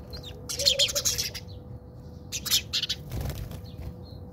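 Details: Sparrow fight in a South African backyard: a loud burst of harsh chattering chirps, a pause, then another cluster of chirps, with a soft thump and a steady hum underneath.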